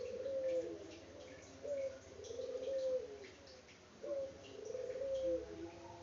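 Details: Local puter dove, Indonesia, unedited, cooing at a distance: repeated rolling coos about every two and a half seconds over steady background hiss and low hum.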